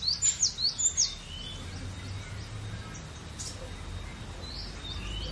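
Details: Cinereous tit giving a short burst of three quick, high whistled double notes that drop in pitch, then mostly quiet background hiss with faint distant chirps.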